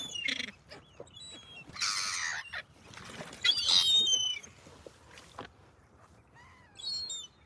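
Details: Ducks at a waterside in Denmark give loud, harsh calls: a rasping burst, then squawks and a few rising notes, while other waterbirds including swans call and people talk in the background.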